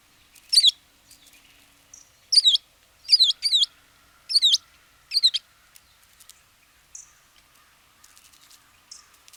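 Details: American tree sparrow in Wisconsin giving five bright, high, sweeping double notes over five seconds, then soft faint chips; otherwise quiet.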